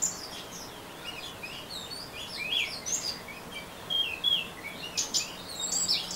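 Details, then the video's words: Ngeriwik-style song of an Orange-headed thrush. It starts sparse, then builds into quick, high, twittering phrases of rising and falling slurred notes, louder toward the end. "Anis Merah Ngeriwik"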